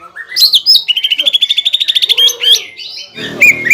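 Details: Greater green leafbird singing to provoke a rival bird: varied loud whistled and chattering phrases, a rapid run of about twenty even notes near the middle, ending in harsh buzzy noise.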